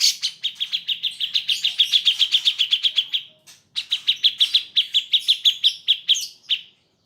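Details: Cucak jenggot song used as a tutor recording for training pet birds: a fast series of about twenty sharp, evenly repeated chip notes, a brief pause, then another rapid run of similar bright notes.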